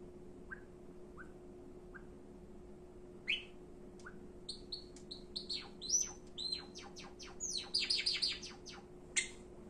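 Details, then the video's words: Indoor Java sparrow starting with three soft, widely spaced peeps, then breaking into a quickening series of clicks, bell-like whistles and chattering notes that builds to a dense burst near the end; a low steady hum runs underneath. "【文鳥／鳴き声メドレー⑩】さえずり、呼び鳴き、甘え鳴き かわいい鳴き声を集めました"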